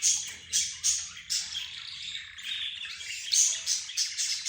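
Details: Mixed group of budgerigars, zebra finches and a canary calling to one another. Harsh, scratchy squawking bursts repeat about once a second over a steady bed of high chattering twitters.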